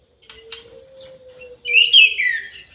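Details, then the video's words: Aviary orange-headed thrush singing: a few soft clicks, then a loud burst of warbling, twisting whistles in the second half, over a steady low hum. "ANIS MERAH GACOR"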